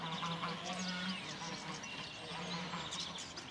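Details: Flock of geese by a roadside in West Runton, Norfolk, on a grey, misty 12 March 2016 gives a steady jumble of harsh, nasal honks and cackles as a walker passes; the birds gravitate towards him on their territory; a man's voice is faintly heard.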